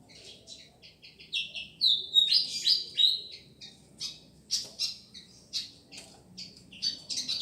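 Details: Pied fantail on Madura singing lively high whistles, with a brief slurred falling phrase near two seconds, then crisp chirped notes repeated about three per second against a quiet background.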